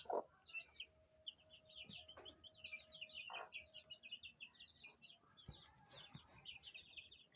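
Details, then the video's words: A group of baby chicks peeping softly and continuously, with many quick high notes in a dense chorus. A steady low electrical hum runs beneath, and faint knocks and rustles are heard. "Cute Baby Chicks Chirping Sound"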